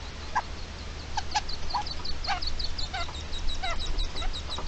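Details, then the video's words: Red-legged partridge guarding its young, 29 May 2023: rough, nasal calls in quick irregular bursts, some doubled, set against continuous thin high peeping and low background hum. "Perdiz defendiendo a los perdigones"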